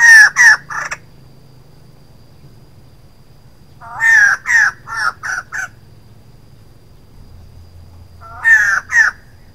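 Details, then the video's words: Female white-crested laughingthrush calling: loud bursts of harsh, rich chattering notes with rising whistled tones, given in three separate groups of two to five notes, with quiet pauses and a low hum between them. "White-crested laughingthrush female sound 02"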